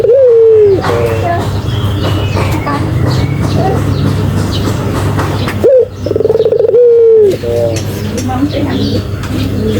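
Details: Persistently calling Barbary dove: a drawn, purring coo opens the recording, then after a busy stretch of faint background sounds a second coo arrives, sharp upward note plus long trembling descent.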